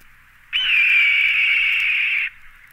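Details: Red-tailed hawk (Buteo jamaicensis), call.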